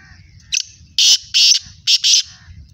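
A black francolin gives a loud, harsh, grating call: a short clipped note, then four rasping notes in two quick pairs, over a low background rumble.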